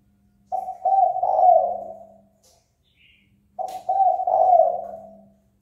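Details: Spotted dove giving its provoking call meant to spur a rival to fight: a pair of low cooing phrases, each with short opening notes and a longer trailing coo, about three seconds apart.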